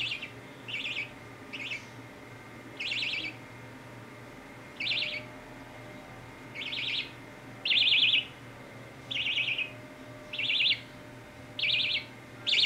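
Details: Budgie chick being scratched on the head: about a dozen loud, harsh, buzzy chirps in irregular succession, some paired, over a quiet hum.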